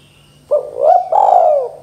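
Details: Spotted dove 'KUK 2' call: a quick low coo, a swelling upturned note, then a sustained falling coo, clear and close, with a faint high whistle and low hum beneath.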